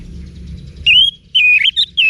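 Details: Training-lure song of an orange-headed thrush for cage birds: loud, clear whistled phrases, each a slurred wavering note, delivered in three or four bursts within two seconds against a soft low hum.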